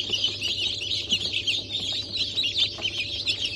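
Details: Continuous high-pitched cheeping from many newly hatched chicks of Cream Legbar, Sultan and Maran breeds, hatched 15 March 2024; short sharp peeps overlap densely, with a steady electrical hum underneath.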